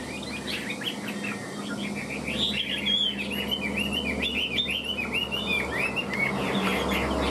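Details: Caged Chinese hwamei performing a tail-fanning, wing-flicking display while it sings a fast, busy series of clipped whistles and chirps, each note bending up or down, with a steady low hum behind.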